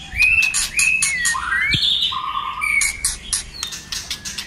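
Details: White-rumped shama many-voiced song, played to stimulate other shamas to sing: rising and sliding whistles, sharp clicking bursts and a low steady whistle, varied phrases in quick succession.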